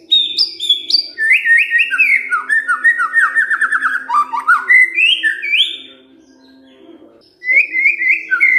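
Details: White-rumped shama kretekan fighter song used to make silent shamas respond: long rapid sequence of whistled and rattling notes stepping through different pitches, a pause of about two seconds, then renewed fast whistled phrases.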